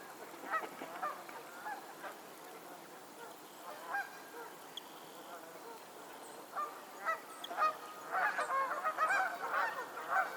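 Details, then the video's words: Geese on a lake in Pennsylvania, a flock calling: many overlapping nasal honks in irregular bursts, quieter at first and building into a dense, loud chorus of harsh honks in the final seconds. "the sound of geese on a lake in Pennsylvania"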